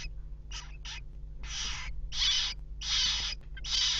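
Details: Western jackdaw chicks in a nest box being fed by both parents at 19:00 on 3 May 2017; harsh, broadband raspy bursts repeated in quick succession, about seven in four seconds, over a steady low hum.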